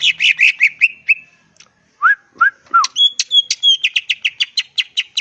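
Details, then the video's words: Wild greater green leafbird song meant to make rivals reply: fast descending whistled notes, three low slurred whistles, then a long run of repeated bright chirps at steady pace. "pancingan suara cucak ijo full isian bikin nyaut suara burung cucak ijo alam liar"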